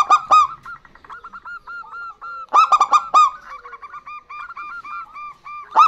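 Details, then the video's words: Answering song from a male and a female local zebra dove. Short, punchy clusters of stacked coos alternate with a long series of gentle, regularly spaced, slightly rising notes. "Perkutut Lokal Gacor Betina Dan Jantan Bersahutan"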